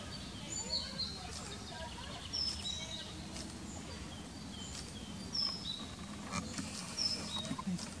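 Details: Common kingfisher pair on a fine evening, 20 May, one parent carrying fish for its unseen chicks: sharp, shrill high whistles, single notes every couple of seconds, over a steady low rumble.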